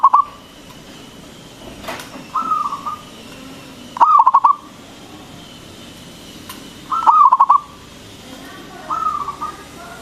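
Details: Zebra dove, a loud local bird, used as a lure for other doves: repeated short cooing phrases every few seconds, some soft, some loud, each a rapid string of warbling pulsed notes.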